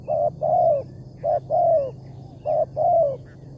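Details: Wild spotted dove with a big voice, heard during a morning trapping trip. Three clear coo phrases, each a brief note followed by a drawn-out downward-sliding coo, evenly spaced over a faint low hum.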